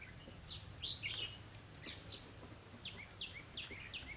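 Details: Decoy red-whiskered bulbul during trapping on 28 October 2016; rapid chirpy, downward-slurred whistled notes repeated in short runs, with a high thin tone and light rustling noise behind.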